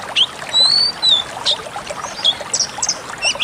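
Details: Pied Bushchat singing on a training track for captive birds, with two long thin high whistles at the start followed by quick scratchy chirps and clicks.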